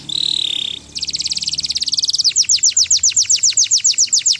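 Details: Canary song: a brief pure high whistle, then a fast buzzy trill, changing into evenly spaced, sharply descending chirps repeated about four times per second.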